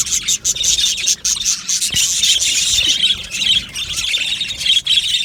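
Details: Aviary budgie colony keeps up loud high chirping and squawking, short harsh notes overlapping in a busy chorus with a few brief dips.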